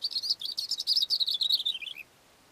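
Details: Cape grassbird singing from a rock on a mountain slope: a fast, rattling run of high twittering notes that descends slightly in pitch and ends in lower slurred notes after two seconds.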